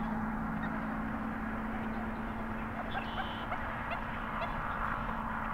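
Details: Common gallinule at a pond beside the Highway 90 service road in Raceland, Louisiana, in a mating ritual, territorial dispute or male dominance display; honking, clucking calls over a steady low hum and broad background roar.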